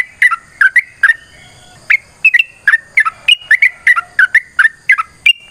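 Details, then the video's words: Yellow-vented bulbul giving its extended fighting song, used to get other birds to answer: clusters of liquid, chortling whistles, a brief gap near two seconds, then rapid bubbly phrases again. "TRUCUKAN GACOR TARUNG ROPEL PANJANG"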